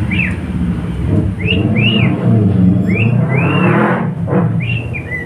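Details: Singing pet cockatiel, male, repeating short arched whistles, each rising then falling, roughly every half second to second, against loud rumbling traffic or engine noise.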